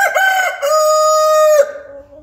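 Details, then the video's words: A local domestic rooster crowing in the early morning at dawn, giving a single full crow: a brief dipping first syllable, then a long, level, strongly harmonic held note that ends abruptly and trails off quietly. "الديك يصيح صباح"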